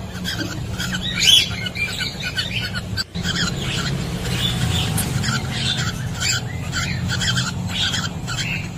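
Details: Cockatiels in a nest box while laying eggs, captured through a CCTV camera; one loud sharp chirp early on, followed by steady soft chattering calls over a low droning hum.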